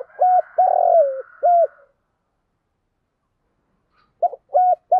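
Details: Spotted dove kept as a decoy, cooing to lure wild doves. A phrase of short coos around one longer, falling coo, then silence, then another quick run of three short coos beginning.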